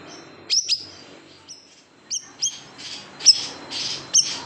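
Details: Siri-siri bird, big type, in a tutoring recording for cage birds with the 'tembakan pedas' delivery: scattered high, piercing down-flicked notes, some in pairs, spaced irregularly about a second apart.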